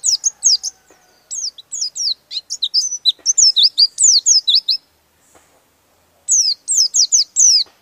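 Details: A long rolling phrase from an oriental white-eye, sung open-beaked to rile rival birds: a near-continuous stream of high, quick, downward-sweeping chirps for five seconds, a pause, then another burst.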